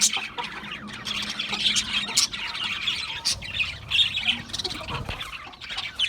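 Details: A flock of Australian parrots gives continuous high chattering, with squawky notes and warbles layered over one another throughout.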